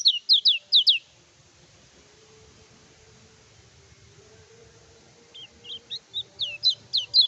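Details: Kecial kuning, the lemon-bellied white-eye, singing as a training lure to rouse rival birds: a short burst of high, steeply sliding chirps, then a long pause and a second run of rising-falling twitters.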